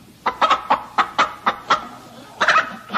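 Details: Chicken giving short, harsh clucks in uneven bursts, about nine notes over three seconds with a pause before the last pair, over a faint low background hum.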